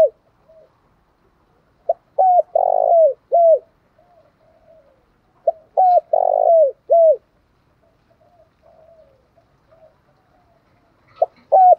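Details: Spotted dove singing in the cu gáy style called giọng thổ pha đồng, a Vietnamese song type: two phrases of low, mellow, hollow coos, each a short note then a rich drawn-out coo and a falling final note, separated by quiet pauses.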